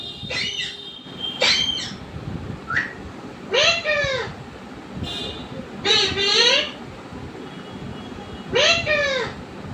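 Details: Domestic parrot calling in drawn-out arched, meow-like harmonic syllables about every two seconds, each rising then falling, with a couple of sharper squawks early on.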